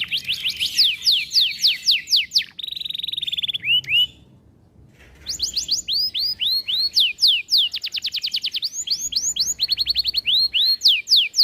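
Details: Canary singing long, loud and busy: fast repeated upswept notes, a buzzy rattle, brief pause, then renewed rapid trills of arched and rising whistles in quick succession.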